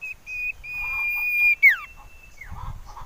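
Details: Lure recording of a common iora to prompt singing: a drawn-out, even whistle of over a second that ends in a swift falling slur, then a fainter downslurred note and quiet low chatter.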